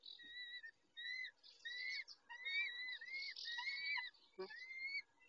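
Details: At the nest, a peregrine falcon male looks after the females, 19:40 on 23-05-21: a series of clear, arched whistled notes with overtones, repeated roughly every half second, one brief knock.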